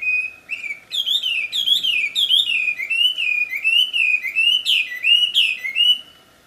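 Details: Loud, melodious wambi song in the wild: regular series of clear whistled phrases, each a quick rise and fall, repeated about every half second.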